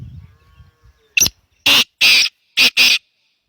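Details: Black francolin calling: a short harsh note, then two loud grating notes, a pause, and two more rasping notes in quick succession, with faint low rumbling noise at the start.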